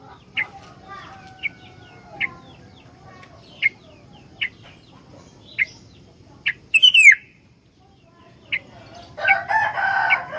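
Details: Sooty-headed bulbul, a very vocal bird used as a lure and master recording for training other bulbuls: sharp bright chirps about once a second, one loud descending whistled slur near the middle, then a rougher scratchy burst at the end.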